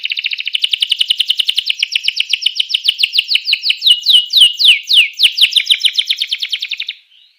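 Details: Canary song played to get rival canaries singing: a long, rapid, rolling trill that slows into a series of loud, swooping downslurred notes, then a softer trill that fades out.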